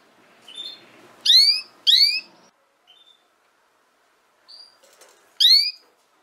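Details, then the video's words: Canary audio intended to help young canaries learn to sing: a quick pair of loud, rich downward chirps, a few faint peeps and a thin whistle, then one more bright chirp near the end. "Chant De Canari Pour Apprendre Au Jeune Canaries"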